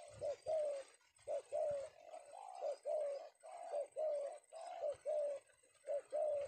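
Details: Male spotted dove of the prized Penguku type, captured in the afternoon in Indonesia, giving rhythmic hoarse coos in short two- and three-note phrases, about one per second, with faint room echo.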